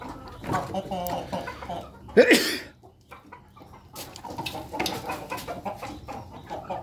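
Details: Ayam Ketawa chickens eating in a flock inside the coop, giving scattered low clucks and chatter, with one sharp rising squawk midway and faint pecking noises throughout.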